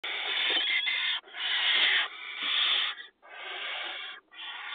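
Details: Barn owl chicks in a nest box among agricultural fields, watched by a live camera during the 2020 nesting season while being fed; loud hissing, rasping screeches about a second long, run together with short gaps.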